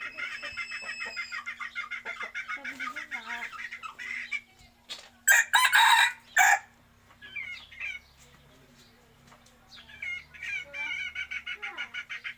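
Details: Chickens give quick repeated clucks for several seconds, then a loud, harsh burst of crowing-like calls, followed by quieter scattered notes and another run of fast, evenly spaced clucks; a low steady hum underneath.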